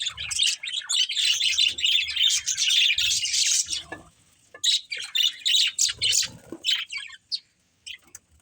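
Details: Budgerigars kept as pets, playing: four seconds of dense chattering warble, then a brief lull and a run of short, separate chirps about three per second that trail off to quiet.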